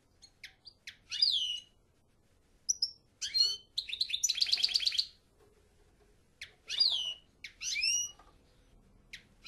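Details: European goldfinch song in broken phrases: quick high chirps and swept notes, a buzzy rattling trill around four to five seconds, then bright twittering bursts with quiet gaps between them.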